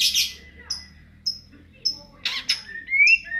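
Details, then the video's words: Greater green leafbird singing in the ngentrok style: sharp high chirps and short whistled notes, some rising, come in separate bursts with quiet gaps between them. "cucak ijo gacor ngentrok"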